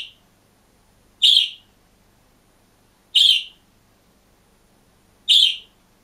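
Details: Single caged budgerigar giving bright, buzzy chirps: short loud notes spaced about two seconds apart, each fading quickly, against a quiet indoor background.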